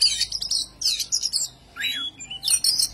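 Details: Oriental magpie-robin performing ngobra, an agitated display meant to provoke rivals: high, varied whistles and chattering phrases with rising and falling sweeps, broken by short pauses.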